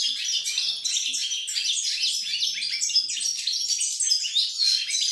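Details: European goldfinch song on 28 November 2020, an even, busy flow of thin chirps, liquid trills and nasal buzzes, kept up at a constant volume for about five seconds.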